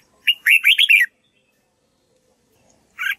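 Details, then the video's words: Red-whiskered bulbul training its voice so another bird learns the song; a rapid warbling phrase of five or six slurred whistled notes, followed after a pause by one short chirp. "Chào mào luyện giọng cực hay để ép chim má trắng học giọng"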